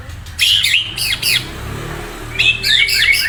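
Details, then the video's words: High-pitched, scratchy chattering song of a murai, two bursts of twisting notes separated by a short pause. "Saura merdu kicau burung murai"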